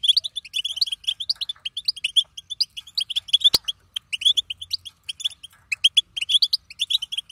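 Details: Twittering bitbita call of a female European goldfinch, said to make males sing: dense runs of bright, high chirps and quick trills packed a few per second, with brief pauses, one loud click, and faint low hum.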